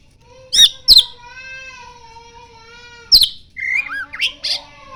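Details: Oriental magpie-robin in full song, tail fanning, mixing in mimicry of the common iora: two sharp high notes, a long steady tonal hum underneath, another sharp note, then a jumble of slurred, wavering whistles.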